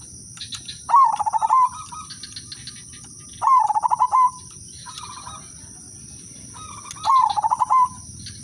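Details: Zebra dove, silver udanmas type, singing its melodious lure song: three loud bubbling trilled coo phrases about three seconds apart, each followed by a quieter echoing phrase from another dove.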